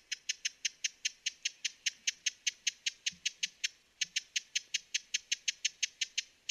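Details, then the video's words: Broad-billed hummingbird from western North America giving dry, sharp chip notes in a steady run of about two to three per second, with a brief pause near the middle. "Broad-billed Hummingbird Bird Sounds"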